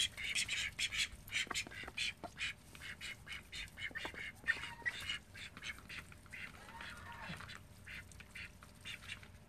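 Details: Quick, loud, nasal quacks from pet call ducks in a household flock of thirteen, tumbling out in fast clustered series, strongest at the start, with quieter chatter later.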